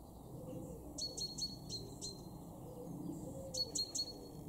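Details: Great tit in a garden in Weener, East Frisia, northwest Germany, in February, giving quick runs of high ringing notes in two bursts about two seconds apart over a steady rumble and hiss.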